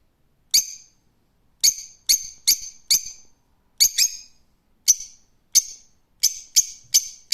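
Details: Rose-ringed parakeet repeating sharp, grating shrieks, roughly thirteen in seven seconds, some single and some doubled, with clean silence between them.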